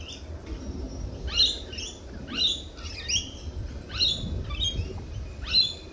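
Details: Lorikeets at a cafe giving loud, harsh screeching calls that rise then fall, repeated about once a second in a series of six or seven, with low background murmur.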